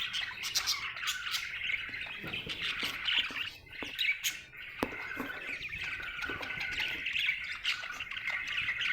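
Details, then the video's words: Budgerigar described as happy, chirping continuously with dense, rapid warbled chatter and scratchy squawks mixed with short bright tweets, a busy stream of notes without pause. "Happy budgie chirping sound"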